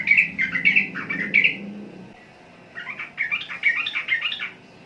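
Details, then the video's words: Chattering phrases from a sooty-headed bulbul in the Indonesian archipelago: two bursts of quick, warbling chirps separated by a near-silent gap of about a second, with a low murmur under the first burst. "Burung Trucukan Kicau Mania"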